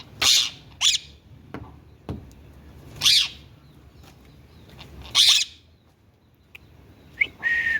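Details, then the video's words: Indian ringneck parakeet kept as a talking pet, giving harsh, raspy bursts about a second or two apart, then a short rising squeak and a steady whistled note at the end. "INDIAN RINGNECK TALKING PARROT"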